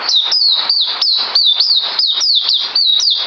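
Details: Song of a white-eye, 9 December 2018: dense, shrill, downward-sweeping whistles repeated rapidly and evenly, with no other sounds.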